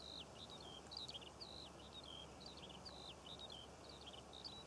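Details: Skylark singing over poppy fields in Cornwall, June, a busy stream of high chirps, slurred twists and short warbles in rapid succession over faint rural background noise.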